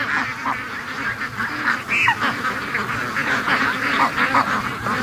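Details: Flock of free-range ducks during their Sunday morning rush, giving a dense, overlapping chorus of raspy quacks with several louder nasal calls standing out.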